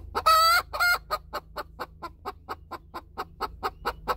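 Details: After laying an egg alongside another hen, a chicken gives two long, strident squawks, then a rapid, even series of sharp clucks, roughly five each second, ending on another squawk.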